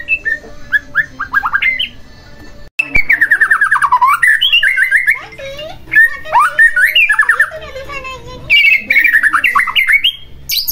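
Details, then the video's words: White-rumped shama song used to provoke another shama into singing, a varied run of whistled phrases, rapid trills and harsh notes with several brief gaps. "Pancingan Murai Batu Agar Bunyi Langsung Emosi Bongkar Isian"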